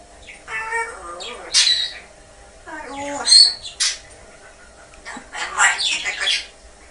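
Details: Pet male parrot singing songs on its owner's request, a nasal, voice-like warble broken by sharp squawks and whistles.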